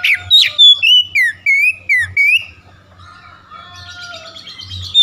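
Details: Lure song of an oriental magpie-robin for mornings, used to make a slow bird sing: two seconds of loud clear whistles in quick repetition, then softer, drawn-out warbling and a low hum.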